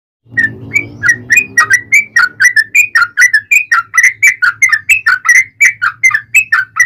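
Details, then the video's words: Yellow-vented bulbul in long 'ropel panjang' song, used to provoke other bulbuls to sing: rapid run of bubbly, liquid whistled notes, about three per second, with a low hum at the start. "trucukan gacor ROPEL PANJANG pancingan trucukan agar bunyi"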